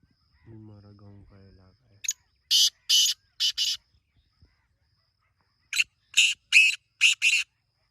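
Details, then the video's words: In a village area on a morning, a man speaks briefly, then a black francolin gives two grating phrases of five harsh, scratchy notes each, separated by about two seconds. "Original Black Teetar Sound"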